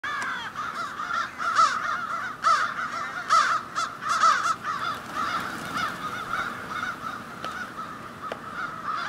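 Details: Crows at a seasonal roost in tall city trees in Ontario, Canada, calling in the morning: a dense chorus of harsh, overlapping caws, several loud ones every second or so, with many more birds cawing behind.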